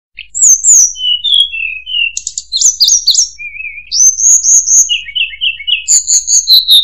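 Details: Murai buluh (tledekan) singing a varied run of clear whistled notes, some falling and some slurred, shifting between high and mid pitches with short buzzy bursts near the end; no other sounds.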